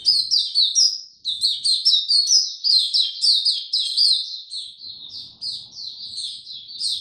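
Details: Captive Oriental white-eye in full, loud song on 2 May 2022: an unbroken stream of rapid, high chirped and trilled notes, bright and tinkling, lasting the whole seven seconds.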